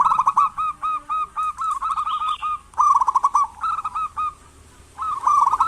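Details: Local zebra dove calling to encourage lazy doves to call: a long run of evenly spaced short coos, then rolling trilled phrases, a pause, and another trilled coo.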